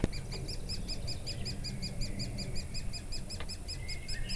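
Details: Woodpeckers feeding their chicks in Durmitor National Park, Montenegro, on 6 June 2017. Rapid, evenly spaced chirps repeat about nine times a second. A thin whistled note enters near the end, over a steady low rumble.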